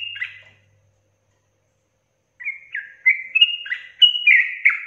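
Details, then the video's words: Sooty-headed bulbul: a lone whistle, a silent gap of nearly two seconds, then a rapid run of rising and falling whistled slurs in the rolling ropel style. "TRUCUKAN GACOR ROPEL PANJANG"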